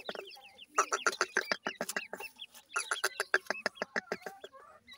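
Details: Baby grey francolins (dakhni teetar) chattering in two dense bursts of quick, sharp chirps, rising and falling, about three to four notes a second, with short gaps between bursts.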